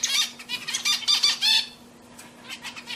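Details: Pet zebra finches singing indoors: a quick run of nasal, harmonic-rich notes repeated several times a second for about one and a half seconds, then softer scattered notes, with a steady low electrical hum behind.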